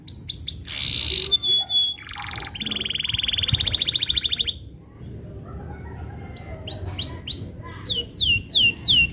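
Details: Canary in full song, meant as tutoring material for young birds: looping slurred whistles, a long buzzy trilled phrase, then series of curved downslurred notes repeated several times, with light background noise.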